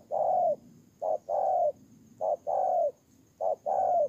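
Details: Ground decoy spotted dove, Kon Tum, Vietnam, 23 September 2018, giving a rhythmic run of soft coos: a short note then a sustained, downward-sliding one, repeated roughly every 1.2 seconds, with faint background hiss.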